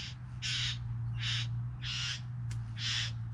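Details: Bowerbird, one of three, gives four drawn-out hissing rasps, each about a quarter second long, repeated roughly every 0.8 seconds over a low steady hum.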